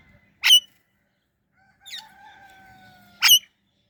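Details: Two sharp, rasping chirps from an Indian ringneck parrot, nearly three seconds apart, with a softer note and a thin level tone in between.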